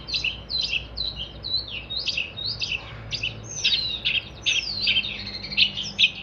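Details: Long-tailed shrike singing as a tutor for cage birds: varied chirps mixed with longer slurred whistles that sweep down in pitch, delivered in an uneven, chattering flow.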